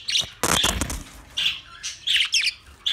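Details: Pet budgies chirping: a few short, high squeaky calls spaced apart, with a brief rustling burst like wing flapping near the start.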